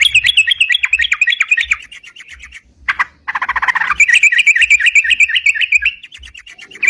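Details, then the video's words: Lively sooty-headed bulbul song for bird-catching lure use: wavering chattered notes, a brief harsh burst midway, then a long fast run of repeated chirps. "suara crucukan gacor bisa buat pikat"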